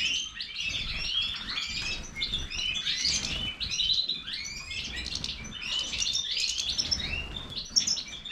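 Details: Goldfinch of the Major type in full song: bright, high, chattering phrases of quick chirps and sweeping whistled notes, packed tightly together, steady low background noise beneath.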